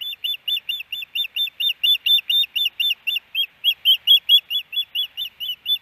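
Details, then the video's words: Osprey pair at their nest camera site in Hellgate Canyon, Missoula, Montana, April 12, 2019, as the male settles his mate. Long run of sharp, high whistled chirps at a quick even pace, roughly twenty-five notes with a brief hitch midway. "Hellgate Canyon Ospreys ~ Louis' Way To Hush Iris"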